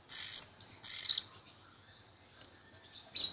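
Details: Myna in lively song, kept as a tutor for other songbirds: harsh, high buzzy bursts alternating with shorter squeaky notes and gaps, quiet background.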